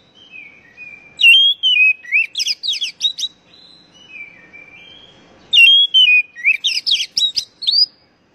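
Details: Oriental magpie-robin, a lure recording to get caged birds singing. Two phrases open with soft falling whistles, then swell into loud clear whistles and a rapid string of harsh, buzzy chips.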